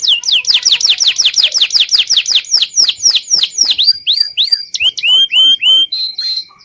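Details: Local canary singing as a training model for juvenile white-rumped shamas: rapid repeated high down-slurred whistles, gradually slowing and lengthening, then a few spaced upswept notes ending on a steady high trill.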